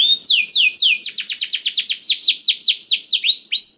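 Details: Lure song of a canary for encouraging quiet canaries to sing: slow descending slurred whistles, then a quick run of downward-sweeping notes settling into a steady rhythmic series of high slurs.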